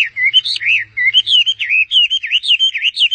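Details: A bird perched on a person's hand warbles continuously, with bright whistled notes rising and falling in quick succession throughout.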